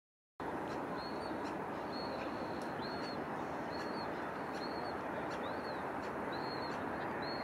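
Grey fantail: high, thin squeaky notes, each briefly rising then falling, given in quick irregular bursts over a loud steady roar of wind or running water.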